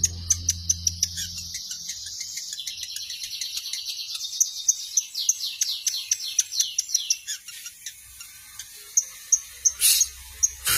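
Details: Long-tailed shrike song: a rapid run of high chirps and short downslurred notes, first rising then falling in a chattering series. Sharp isolated ticks follow near the end, and a low hum is heard early on.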